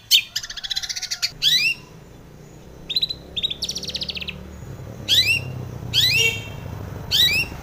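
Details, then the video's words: Morning lure song of a female long-tailed shrike for caged birds: buzzy rattling trills alternate with scratchy chattering bursts and sharp chips, separated by quiet gaps with low room hum. "kicau pancingan cendet pagi hari agar emosi STABIL |cendet betina gacor isian"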